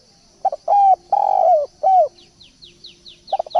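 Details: Spotted dove lure recording: a short soft note, then a long rolling coo, then a falling coo, all low and mellow, followed after a pause by the next phrase starting. Faint high chirps from small birds run in the background.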